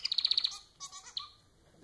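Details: Pet society finch (Lonchura striata domestica), a domestic cage bird, gives a quick run of about seven sharp high chips, then a few softer scratchy notes with a short falling slur.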